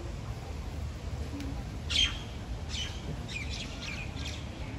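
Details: Common myna in Dubai, U.A.E.: a few short, harsh chirps and quick scratchy notes in a brief cluster, over a steady low rumbling background.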